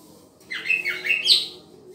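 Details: Green leafbird singing while being paired, a short burst of slurred, rising-and-falling whistled notes around two seconds long in a quiet indoor setting.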